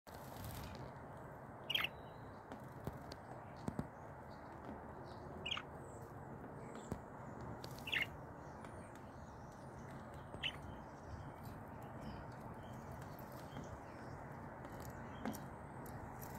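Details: Bonding pet budgerigars give a few brief, sharp chirps, spaced several seconds apart, over a steady background hiss.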